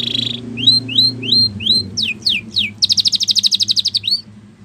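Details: Spanish Timbrado canary song used for training: a buzzy opening note, a row of rising whistles, a few steep downward slurs, then a fast, even rattling trill of repeated notes.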